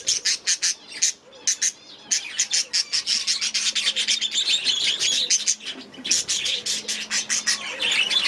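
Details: Captive budgies in an aviary repeat rapid, sharp chirps in quick rhythmic runs, overlapping with buzzy warbling chatter in the middle section.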